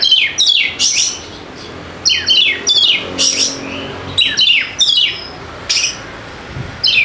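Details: Fighter-type kacer, or Oriental magpie-robin, voicing a string of harsh, falling notes in clipped bursts about every half second, mixed with high whistles, used to trigger lazy birds to start singing.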